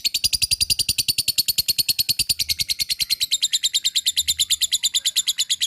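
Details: Lovebird giving its long 'ngekek panjang' trill to provoke reluctant lovebirds into song: a continuous, fast, rattling high-pitched chatter of tightly repeated notes, steady and loud throughout with no breaks.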